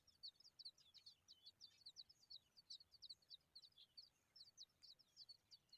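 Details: Hungry Familiar chat nestlings begging: a rapid, continuous stream of thin, high-pitched chirps, several each second, overlapping and uneven in rhythm, fairly faint against a quiet background hiss.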